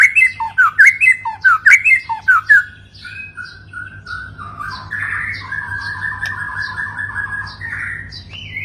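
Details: White-rumped shama song used to rouse stressed birds: about eight sharp looping whistles in a regular series, followed by softer warbled and wavering notes that drift in and out.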